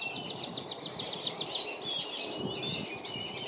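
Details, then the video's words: Dozens of black-bellied whistling ducks crowd a family with five young at Circle B Bar Reserve, Lakeland, Florida. Overlapping high whistles form an unbroken, busy chorus, quick notes tumbling over one another for the whole stretch, with faint water noise below. "BLACK-BELLIED WHISTLING DUCK PARENTS PROTECT THEIR YOUNG FROM OTHER DUCKS"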